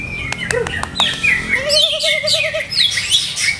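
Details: Caged greater green leafbird whose conditioning its keeper is still testing; clicks and a sustained whistle lead into a wavering, tremolo warble beneath bright chattering high notes, then renewed rapid twitters.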